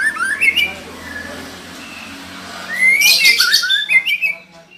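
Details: White-rumped shama female calling to spur a male into singing: rising whistled slurs over a steady background hum, then a louder burst of fast chattering notes and further whistles.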